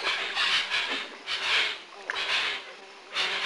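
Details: Hoatzins, locally called shansho, at Lago Sandoval in 1999: raspy, hissing, wheezy bursts repeated irregularly, each about half a second long, with brief quiet gaps between them.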